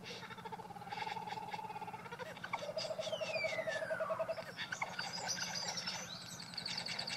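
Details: Mimicry from a male Satin Bowerbird's courtship display at his bower: steady whistled notes, a long descending slide, a rattling sequence and high thin tones in varied succession, over a low hum.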